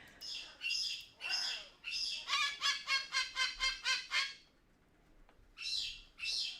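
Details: A parrot vocalizing for attention gives loud, harsh screeching squawks in ragged bursts, then a fast run of about ten evenly spaced screams and two more, distress calls meant to bring its departed caregiver back.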